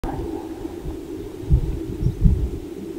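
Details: In Colorado, a greater sage-grouse gives deep, hollow thumps, two close together then a third, over a low steady rumble of wind.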